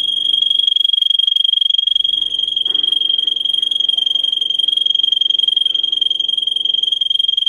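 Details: Russian singer canary singing for canary training: one sustained, rapid, rolling trill at a steady high pitch runs through the whole clip, with faint low background tones.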